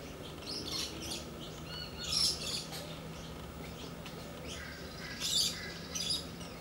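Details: Pair of playing galahs, with sparse scratchy high squawks in a few clusters, the clearest bursts early and late, and softer chattering between against a low droning background.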